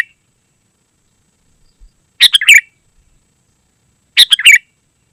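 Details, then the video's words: Sooty-headed bulbul in vigorous song, used as a lure for wild birds and a tutor for caged birds: two quick phrases of clipped, bubbling whistles about two seconds apart, with silence between. "Suara Burung KUTILANG GACOR Sangat Rapat"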